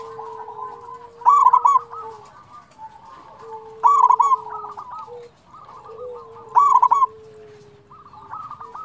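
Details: Zebra dove of a local strain, played to coax other doves into singing: three loud rolling, bubbly coo bursts about 2.7 seconds apart, with quieter cooing from further doves between them.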